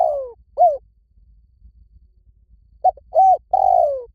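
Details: Spotted dove cooing in the 'lio tan' style, played to lure a training dove into answering; the tail of one phrase, a pause, then a fresh phrase of clipped note, arched coo and long descending coo.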